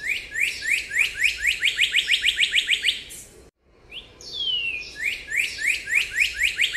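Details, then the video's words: A cardinal gives a fast series of clear, down-slurred whistles, about three a second, with a long sliding whistle between two runs. "cardinal bird call"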